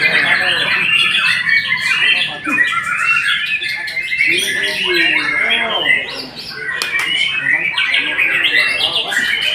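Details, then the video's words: White-rumped shama delivering a long, rich, continuous song of rapid whistles, trills and chattering notes that shift quickly in pitch, with brief harsh clicks mixed in. "Murai memang TOP MARGOTOP"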